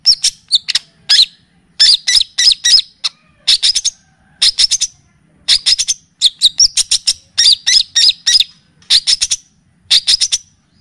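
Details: Long-tailed shrike mimicking other birds, used for training cage birds: short bursts of rapid, high, sharp chips, in groups of three to five notes separated by brief pauses.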